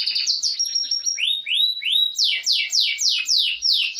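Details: Canary singing a lively, continuous song: thin high whistles and short warbled notes, then three rising slurred whistles, then a fast series of bright downward-sweeping notes about five per second. No other sounds.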